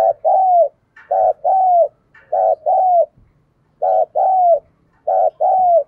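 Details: Spotted dove kept as a decoy, cooing to draw in wild doves and provoke them to fight, in 'thổ' voice style. Steady paired coos, a brief note and a drawn-out descending note, repeat about every 1.2 seconds, with soft higher notes between.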